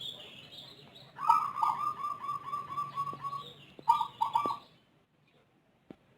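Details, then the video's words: Zebra dove of the Rondosemoyo type, a caged bird with an unusual voice, unlike local or Bangkok doves, cooing in a long rolling series of rapid notes, then two more accented coos before silence. "Perkutut Rondosemoyo suara aneh rajin manggung durasi panjang"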